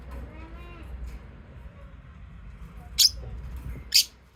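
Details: Pet lovebirds calling: two sharp, shrill chirps about a second apart, loud and abrupt against a quiet low hum.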